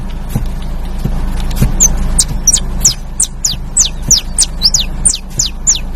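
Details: Canary giving a fast run of thin, very high notes, each one sliding sharply downward and repeated about three times a second, over steady low background noise and faint tapping.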